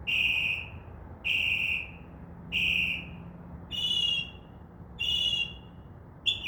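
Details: Northern mockingbird imitating other sounds at night from a tree outside a window: even, drawn-out harsh notes repeated about every 1.2 seconds, switching to a higher, brighter note type for the last three.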